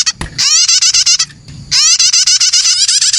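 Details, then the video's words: Prenjak nestlings' lure call: a short knock, then two long runs of raspy, buzzy, fast-repeated chattering notes separated by a short gap. "SUARA PIKAT ANAKAN PRENAJAK STARTER"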